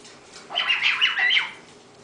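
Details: A 10-month-old female pet bare-eyed cockatoo, coaxed indoors to talk, makes her 'laser beam noise' instead: one harsh, raspy squawk lasting about a second, wavering up and down in pitch, against a quiet background.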